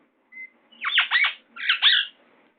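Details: Indian ringneck parakeet, a young pet bird indoors, gives a thin whistled note followed by two harsh, raspy squawks with downward-sweeping strokes, each about half a second long.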